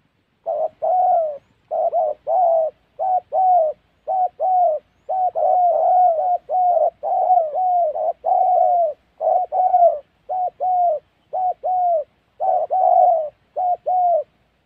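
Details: Spotted dove from Gia Lai in Vietnam's Central Highlands forest, recorded during trapping, giving a long steady run of mellow low coos in short-then-long pairs, nearly continuous for about fourteen seconds.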